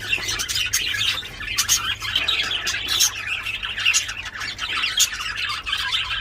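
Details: Budgerigars in mating, very loud: continuous warbled chatter with sharp clicks and squeaks, steady high-pitched babble lasting the whole stretch.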